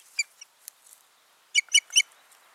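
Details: Ospreys, a pair at their nest on 14 June 2019. A couple of clipped, high whistled notes are followed by a quick run of three loud, piercing chirps.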